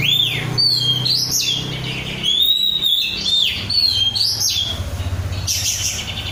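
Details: Untrained kept oriental magpie-robin in energetic song: bright whistled notes with rising and falling sweeps and long steady tones, delivered almost without pause over a soft low hum.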